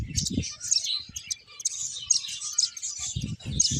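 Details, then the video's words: A group of finches twitters with quick, high, scratchy chirps in steady bursts, with a few dull low taps at the start and end. "Cute Birds Chirping Sounds | Beautiful Finches Playing"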